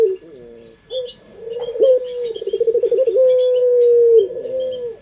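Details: Indonesian puter pelung dove as a lure: short low coos lead into a rapidly pulsing phrase that smooths into a long, level, drawn-out tone, with light twittering of small birds in the background.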